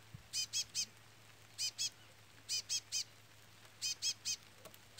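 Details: A Chestnut-bellied Seed Finch chick peeps steadily. Sharp, high notes come in groups of two or three, repeating about every second with quiet gaps between the groups.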